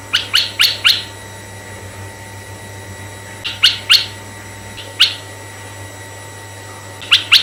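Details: Red-eyed bulbul song for luring bulbuls: a rapid burst of four chirps, then scattered groups of two or three bubbly notes separated by pauses, over a continuous low hum.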